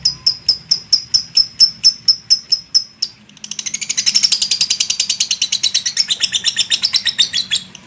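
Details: Long lovebird chatter, called ngekek: a few spaced, sharp, high chirps, then a quickening, dense run of shrill rattling notes that keeps going for several seconds.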